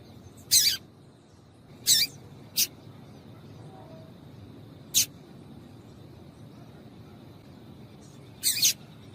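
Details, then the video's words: Papa-capim female giving calls meant to stimulate a male seedeater to sing: brief, bright, scratchy notes at uneven intervals, some doubled, over faint constant background noise. "Piado de Fêmea de Papa capim Pra Esquentar Papa capim"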